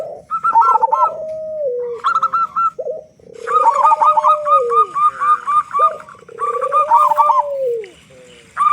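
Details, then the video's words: Local zebra dove in full song, a strong-voiced bird used to prompt other doves to sing quickly: repeated phrases of long low downward-curving coos mixed with fast runs of higher staccato notes. "Perkutut Lokal Gacor Suara Besar Pancingan Burung Perkutut Agar Cepat Bunyi"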